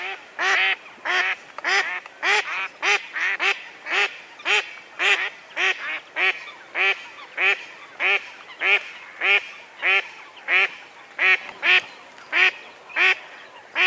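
A Mallard gives loud, nasal quacks, one or two per second, in a steady unbroken series with nothing else heard.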